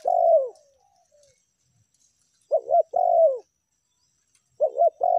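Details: Spotted dove lure call: low, hollow coos, with a long drawn coo followed by softer trailing notes, then paired short coos leading into longer coos, on a quiet background.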